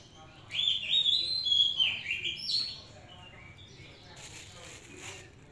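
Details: Oriental magpie-robin, hand-raised in captivity, delivering a rich whistled phrase of linked rising and falling notes lasting about two seconds, followed by faint softer notes and a brief hiss of noise.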